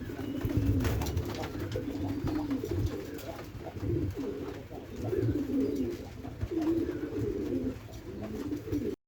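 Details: Three white pigeons living in a loft coo continuously, with overlapping low rolling phrases that swell and fade, accompanied by low rumbling and occasional rustling.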